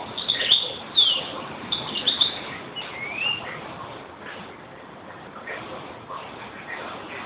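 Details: European greenfinch calling in quick twittering chirps during the first three seconds, then fading to occasional faint notes over muffled background noise.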